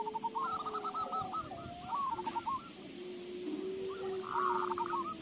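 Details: Zebra dove song played as a lure to make other doves sing: faint, rapid strings of cooing notes under steady broadband hiss, with a low drawn-out tone running beneath them.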